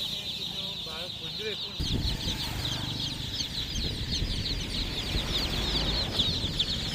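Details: Chicken chicks in a group, many high downward-sweeping peeps overlapping densely; brief low tonal sounds early on before a louder background rumble sets in under the continuous chirping.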